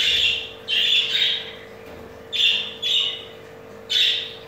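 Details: A crested jumbo male budgerigar chatters while mating with its mate, which has two eggs: bursts of high harsh squawking about a second long, separated by short pauses, over a steady low hum.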